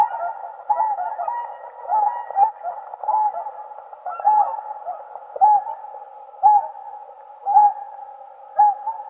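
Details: Whooper swans calling together, a hum of many overlapping honks and a louder trumpeting note standing out about once a second.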